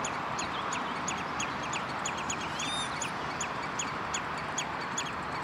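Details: Common redshank, Westland, Netherlands, June 2013: brisk, evenly spaced downslurred notes repeated for the whole stretch, with one arched, ringing call midway, over a broad rushing background.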